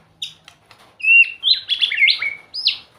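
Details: White-rumped shama singing sweetly, a rich three-second phrase of clear whistles that swoop up and down and run into one another, opening with a few soft ticks.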